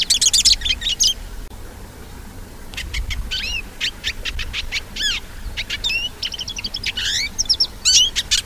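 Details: Hooded siskin song: a fast, varied twittering of high chirps, trills and upslurred whistles, delivered in bursts with a short pause after the first second, and faint low rumble beneath.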